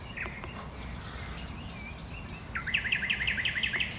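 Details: Common nightingale singing in bushes: a few thin high whistles and swept notes, then a fast rattling run of about a dozen repeated, sharply down-slurred notes over a steady background hiss.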